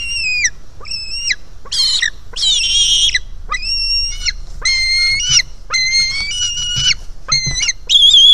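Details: Begging calls of a hungry White-tailed Eagle chick at a Finnish nest in early July as it jumps to its mother: a rapid run of high whistled squeals, some harsher and overlapping, about a dozen in eight seconds.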